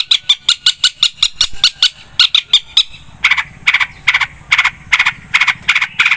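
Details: Energetic long-tailed shrike song: a rapid series of clipped, ticking notes that shifts into slower, rasping, pulsed notes repeated roughly every half second.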